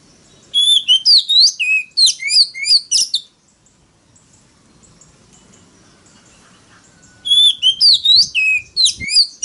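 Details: Loud forest-style song of an Oriental magpie-robin, used as a lure to draw rival birds into a singing contest. Two bursts of quick, sliding whistles about three seconds long are separated by several seconds of quiet.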